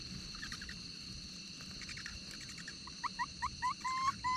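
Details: An Asian barred owlet, from a pair where the father forages and the mother feeds, gives a quickening series of short notes swelling into longer upslurred whistles over a steady high insect drone.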